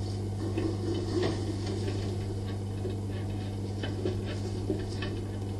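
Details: Irregular soft ticks and clatter over a steady electrical hum, with no animal voice heard.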